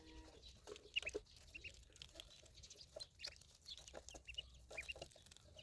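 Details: High, short duckling peeps in small clusters, two or three notes at a time, over steady rustling and clicking.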